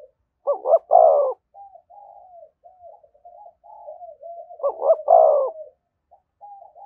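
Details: Spotted dove near a decoy bird, cooing in the 'thúc gù' style. Two loud phrases of a double hoot and a full coo, separated by a long run of quiet, low, stuttering coos.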